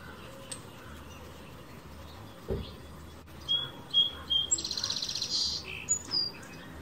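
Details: A male sparrow on a backyard fence in the morning sings a few clear, high whistled notes, then a fast buzzy trill and a couple of thin closing notes, over a low steady background hum.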